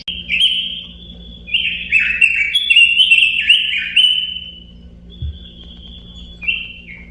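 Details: Robin song made of clear whistled notes that tumble downward in a rapid warbling run, then hold as a thin steady tone before a short final slurred phrase. Faint low hum in the background.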